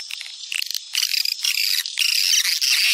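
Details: Swiftlet attraction sound popular in Sumatra: soft flickering chirps that swell into loud, continuous buzzy twittering.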